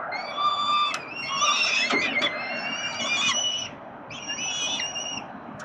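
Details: Hungry peregrine falcon chicks calling while fed by the male parent, Melbourne, Australia: bursts of squealing, harmonic wails separated by short pauses, with occasional clicks, fading quieter in the last seconds.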